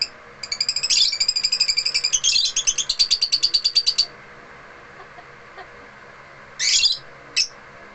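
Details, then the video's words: African lovebirds at home singing: a fast run of high, sharp chirps and trills repeated for about four seconds, then a pause and two short, harsh bursts of chatter. "AFRICAN LOVEBIRDS AT HOME SINGING VERY RELAXING SOUNDS"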